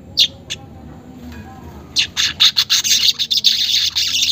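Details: Unedited lure recording of a weaver for caged birds: two isolated sharp notes, a quiet stretch, then from the second second a fast, high, buzzy chattering song that grows denser to the end.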